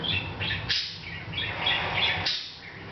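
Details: Hahn's macaw chatting to itself, unaware of the camera: rolling scratchy chirps and short squawks run almost without break, a louder harsh burst near the start and end.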